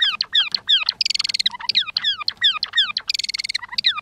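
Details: Captive Java sparrow pair courting: the male sings quick, tinkling downslurred notes while both birds make bill clicks, giving dry, buzzing rattles of rapid clicks twice; display precedes copulation.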